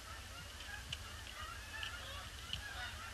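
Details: Flock of Canada geese circling a pond before landing on a gloomy, grey Boxing Day; scattered honking calls over a steady low rumble of background noise.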